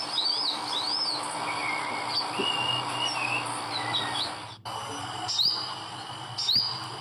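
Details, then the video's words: In the wild in Indonesia, an olive-backed sunbird sings a run of high upslurred chips and thin wavering whistles, then sharp high rising notes after a brief gap, with steady background hiss. "MERDU NYA SUARA BURUNG SOGOK ONTONG DI ALAM LIAR"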